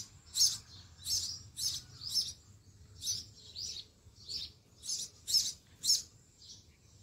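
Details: Sparrow chicks calling from their nest in a garden sparrow house while the mother brings food: about a dozen thin, high chirps at uneven intervals, somewhat softer, with a low rumbling background.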